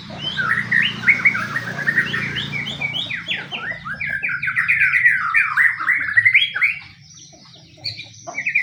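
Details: White-rumped shama, pastol type, giving fighting-style lure song to provoke other shamas: a long, rapid series of repeated sharp downslurred chips running about seven seconds before falling quiet, then resuming, with low background hum.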